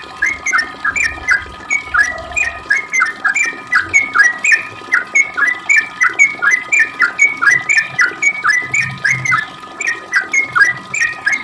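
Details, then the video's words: Sooty-headed bulbul in long 'ropel' song meant to provoke replies from other birds: steady stream of short slurred whistles, several each second, continuing without a break. "Trucuk gacor ROPEL panjang buat pancingan trucuk agar bunyi"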